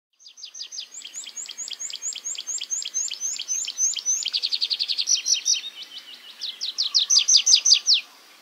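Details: Tree pipit singing while perched on the ground, giving shorter verses than in flight: a fast series of high, sharp repeated notes, shifting into quicker trilled phrases and ending with loud, descending, slurred notes.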